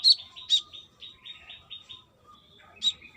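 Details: Female brown-throated sunbird calling a male, in lively voice: two loud shrill chirps, a soft series of buzzy notes descending in strength, then another bright chirp.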